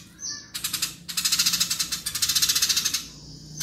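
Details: House sparrow fighting chatter: a thin high note at first, then abrupt bursts of fast, harsh, pulsed rattling ticks in quick succession that stop suddenly near the end.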